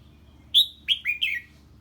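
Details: Red-whiskered bulbul singing in the 'ché' style on hearing an unfamiliar bird: one clear whistled note followed by three quick downward-slurred, slightly buzzy notes in a short phrase.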